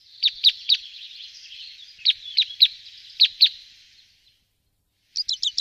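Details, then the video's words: A two-barred (white-winged) crossbill gives sharp, dry chip notes in pairs and short groups over a soft twittering background, then a quick burst of four notes after a pause. "TWO-BARRED CROSSBILL"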